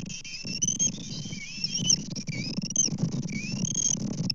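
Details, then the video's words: High whistled squeals from bald eagles on a Kansas nest, caught by a live camera on 24 May 2024 as fish arrive. Short rising and falling whistles repeat in quick series above steady low wind noise. "Kansas Eagles 5-24-24. Double Delight Breakfast Fish"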